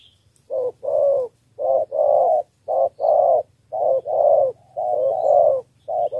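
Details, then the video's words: Spotted dove from Ca Mau, Vietnam, cooing in the three-note 'thổ 3 âm' style to win over wild doves. Low, hollow coos come in short-long pairs with brief pauses, and faint small-bird chirps sound high above. "2 kèo thu phục bổi đồng và thổ 3 âm"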